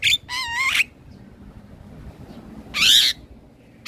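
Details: Male black-winged starling singing, a filler song for teaching young starlings to sing: two bright, wavering whistled phrases, the second louder and higher, separated by about two seconds of quiet.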